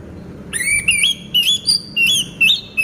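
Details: Singing orange-headed thrush in a cage, moulting but still vocal, pours out a fast run of sweet, upward-sliding whistles and trills, roughly six notes in two seconds, over quiet low hum.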